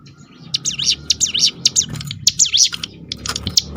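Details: Ciblek gunung singing 'roll tembakan', a song meant to draw other birds into singing: quick series of sharp, swooping high chirps, with a steady low rumble and hum underneath.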